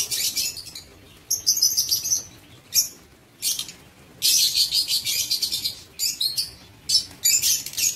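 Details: Lovebirds in an aviary, recorded 19 September 2023: bursts of shrill, high chirping that come in clusters separated by short quiet gaps, with several sharp squeaky notes layered together in each burst.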